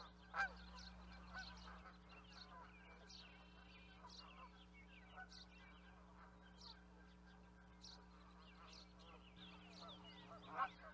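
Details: Canada geese flock with a low murmur of distant honks throughout, framed by two loud, sharp honks at the start and the end, and a constant low hum.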